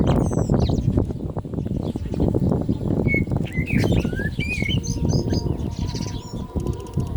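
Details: Common blackbird singing more during the call to prayer: short fluty rising and falling phrases with some thin high twitters, over constant low rumbling noise.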